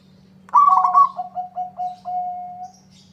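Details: Local zebra dove singing to draw an answer from a rival: a loud bubbling trill slides straight into five short coos and a longer sustained final note, with a steady faint hum.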